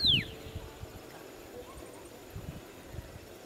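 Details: A red-cowled cardinal in a park in Americana, São Paulo, Brazil, gives one sharp, high note that slurs steeply downward, followed by soft low thumps and knocks in the background.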